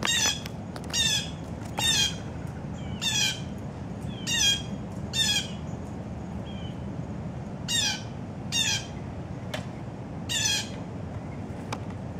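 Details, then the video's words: A grackle among blue jays at a morning feeder frenzy gives harsh, raspy squawks in short bursts, roughly every second or two, over a steady low background rumble. "thats not a blue jay 😆 [reply] Grackle!"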